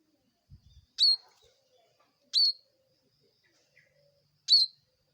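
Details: Bar-winged prinia sounding three loud, crisp high chirps, each a sharp downstroke ending in a brief held note, separated by over a second of near silence; a few soft clicks precede the first.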